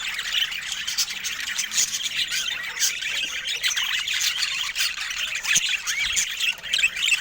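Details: Budgerigars chattering in a dense, continuous stream of high, scratchy warbles and squawks, overlapping calls with no pauses throughout.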